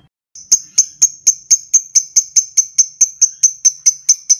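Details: Lovebird 'ngetik' ticking used to coax a long 'ngekek' trill: after a brief pause, crisp high ticks follow in a steady series, about four each second.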